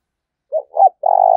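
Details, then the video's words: Spotted dove decoy calling to challenge a rival: two short coos and the start of a long, pulsing, burred coo that is cut off. "Tiếng chim cu gay thúc bổi rất hăng và máu/ cu moi chuan kich"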